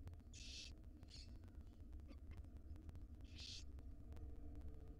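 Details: Wild barn owl nestlings in a nest box begging while a female feeds them: three short, harsh, broadband hissing bursts, the first and last the strongest, over steady low background hum and faint clicks.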